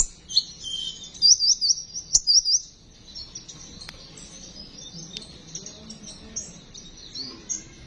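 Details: Sunbird besetan song used as a lure: a burst of quick, high, rising chirps for about two and a half seconds, then only faint, distant twittering.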